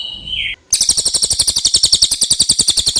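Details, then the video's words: Clear common iora song: a brief whistled note dropping in pitch, then a long, fast run of high, buzzy chattering notes at a steady pace. "suara cililin jernih"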